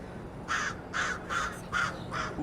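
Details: At Los Angeles airport (LAX) on 19 April 2026, a crow gives five harsh, raspy caws about half a second apart over a low steady hum of airport machinery.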